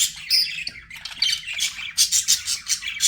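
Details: Domestic budgies chatter loudly, shrill squeaky notes and harsh squawks running together, ending in a series of evenly spaced sharp chirps.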